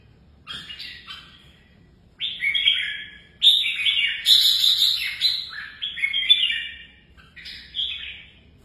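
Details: Kept red-whiskered bulbul in competitive singing training: bright, chattering high-pitched warbled phrases, a short burst first, then continuous varied notes from about two seconds on with brief gaps, over a low steady hum.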